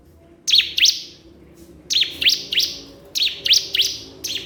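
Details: A crystal prinia calls toward a rival with high, sharp, descending chirps delivered in pairs and trios at a brisk, uneven pace.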